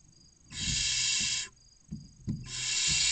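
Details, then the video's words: Inside a nest box near Casa Palillos, Cabañeros National Park, Castilla-La Mancha, barn owl nestlings waiting for a feed give two drawn-out rasping hisses, separated by soft thumps of movement. "Los seis pollitos esperando la cena - Lechuza común"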